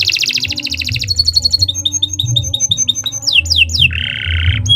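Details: Canary song for teaching other birds: a rapid rolling trill, then a chain of short clipped piping notes, several sweeping slurs and a harsh buzzy rattle, over a low droning hum.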